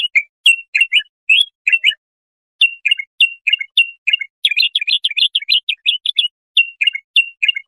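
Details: Bulbul song meant for young goldfinches to copy: paired whistled chirps, a short silence, then a quick chattering run of sweet notes before spaced phrases resume.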